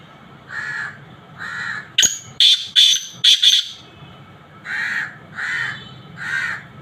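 Black francolin giving a loud, harsh, grating burst of five rasping notes, framed by softer hoarse notes repeated about once a second.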